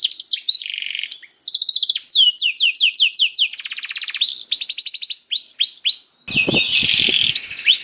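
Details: Canary song played to set other canaries singing: mixed buzzy rattles and rapid trills of falling notes, a series of looping whistles, ending in a harsher, noisier chattering passage.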